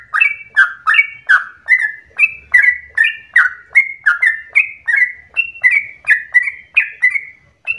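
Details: Yellow-vented bulbul singing a lure song meant to trigger long-breathed rapid song in other bulbuls; rich, warbling two-part notes repeat almost three per second, a faint low rumble beneath.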